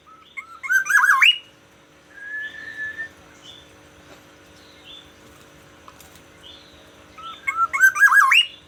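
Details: Black-naped oriole from Aceh, a kept bird, in morning song: loud rolling fluted phrases that rise at the end open and close the passage, with a long steady whistle and faint short notes between.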